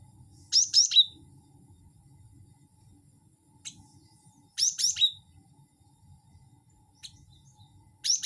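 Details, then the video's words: Cinereous tit call used to lure birds: short clusters of two or three high, sharp chirping notes, repeated at irregular gaps of a few seconds, over a faint low rumble. "pancing bunyi gelatik batu wingko"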